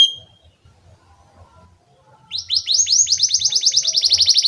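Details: Training lure song of a canary for young birds: near-quiet opening with a brief high whistle and faint low rumbles, then a loud, rapid trill of repeated downslurred high notes from the middle onward.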